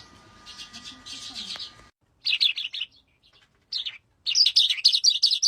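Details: An adult breeding calandra lark (Melanocorypha calandra) in an aviary sings rapid bursts of harsh, high chirping and rattling notes with brief pauses; faint background hum and speech at the start.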